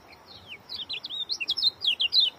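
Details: Oriental white-eye singing a tight, fast run of high whistled notes, each slurred up or down, delivered in quick bursts roughly every tenth of a second and growing louder towards the end.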